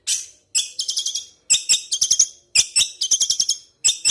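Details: Long-tailed shrike song in bursts of quick, sharp, ringing notes in rapid series, each burst about a second long with short gaps between.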